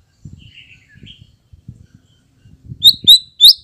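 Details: White-rumped shama lure song used to draw a reply: soft low clicks and faint whistles, then three loud, sharp, high rising notes close together at the end.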